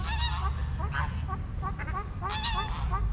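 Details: Several white ducks on a river in Nottingham give short, nasal, overlapping quacks in quick bursts while it rains, with a steady low rumble of rain and running water underneath; duck.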